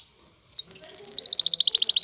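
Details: Male canary in breeding excitement courting a hen canary. After a moment of silence, a few sharp bright notes speed up into a rapid, even trill of ringing high notes.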